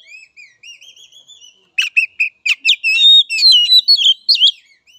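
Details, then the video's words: Oriental magpie-robin song, played to train young birds: a thin, wavering whistle repeated softly, then a rapid, loud jumble of clicks, chips and sliding whistles. "Pancingan Kacer Muda dan Bahan"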